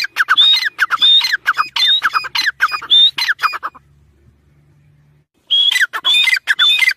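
A chukar gives loud, harsh, clucking notes with a squeaky whistled edge in quick rhythmic bursts, about two per second, then pauses briefly before resuming.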